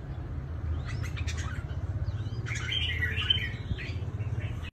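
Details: Trap-fighting red-whiskered bulbul from Cao Bằng, Vietnam, with faint thin calls at first, then a lively warbled outburst of jumbled notes midway, all over a pulsing low mechanical-sounding hum.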